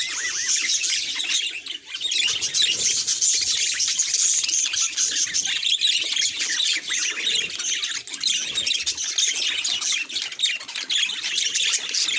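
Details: Budgies facing a mirror give a steady stream of bright chattering chirps and rasping warble notes, busy and overlapping, with a brief dip in loudness early on.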